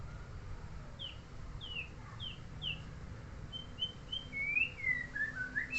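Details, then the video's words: White-rumped shama (murai), a neighbour's bird, giving a series of short, downward-slurred whistled notes repeated about twice a second, then a rising and falling warbled run, over steady low background rumble. "Dasyat Burung Tetangga"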